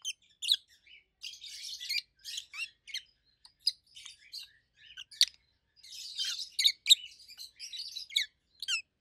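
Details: Two adult rosy-faced lovebirds, a red-head green opaline and a white-head pallid aqua opaline, kept as pets and more than a year old, giving loud, high, treble chirps in irregular bursts of sharp notes, with denser chattering clusters.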